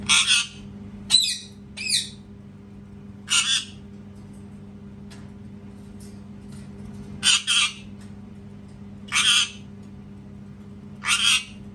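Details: Repeated parrot screaming, harsh grating squawks, some doubled, coming in irregular bursts every one to two seconds across nearly twelve seconds, with a low steady hum behind.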